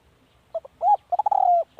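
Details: Spotted dove decoy call: two short soft notes, a rising hooked coo, then a stuttered lead-in to a long, steady coo that sags at the close, with little background sound.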